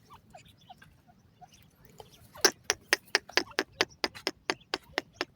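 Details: Grey francolin pair calling: a few faint scattered notes, then a loud run of about fourteen sharp, clipped notes repeated roughly every quarter second, slowly fading toward the end.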